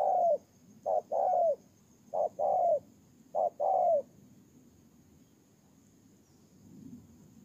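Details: Decoy spotted dove used on the ground, Kon Tum province, Vietnam, September 2018; three quick two-part coos, a clipped note then a longer falling one, followed by several seconds of quiet background.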